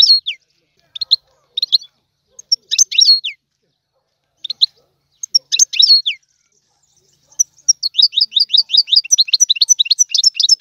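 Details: Trained goldfinch singing Tiwawati style: spaced twittering phrases with downslurred notes at first, building into a continuous rapid stream of bright, tinkling, repeated syllables.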